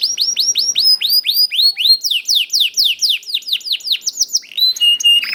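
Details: Song of a young canary, played to get other canaries singing: a series of clear upward-swept whistled notes, about four per second, some falling slurs, and a short chirpy run at the end.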